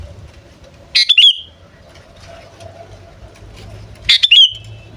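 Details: Lure call of a sooty-headed bulbul: two short, bright, chattering phrases about three seconds apart, each a quick cluster of notes trailing into a thin whistle, above a low background drone.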